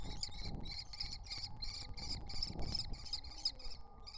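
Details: Wild common kestrel nestlings, three of them, at the nest entrance: a dense burst of harsh, high, buzzy chittering notes, closely packed and rasping, with a faint hum behind.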